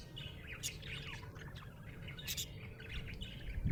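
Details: Cheerful budgie chatter: bright chirps and twittering notes tumbling in quick succession, with a couple of sharp clicks and a low steady hum beneath, ending in a soft thump.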